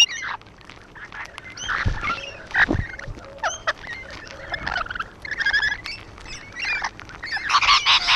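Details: Rainbow lorikeets on a wall make intermittent scratchy squawks and thin chattering notes, with soft knocks and background noise between bursts.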